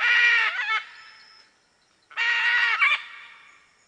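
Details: A red-and-green macaw (Ara chloropterus) gives two loud, harsh, raspy screeches about two seconds apart, each lasting nearly a second with a grating, broad-toned quality.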